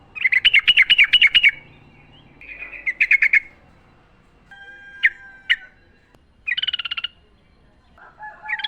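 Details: Sooty-headed bulbul singing in the wild, recorded to coax caged birds into song: bursts of rapid chattering notes, repeated in short bouts separated by pauses, with a few isolated sharp chips between them.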